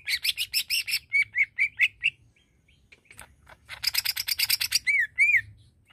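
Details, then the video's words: Greater green leafbird singing to make other leafbirds aggressive. Fast harsh chatter, then repeated rising-falling whistles, a quiet gap, another buzzy rattle burst, and a pair of looping slurred whistles. "Bikin Cucak ijo Lain Terpancing Emosinya"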